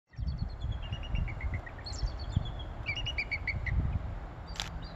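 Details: A female bald eagle calling to her mate gives three bursts of high, thin, chattering piping notes that step downward in pitch, over a low wind-like rumble.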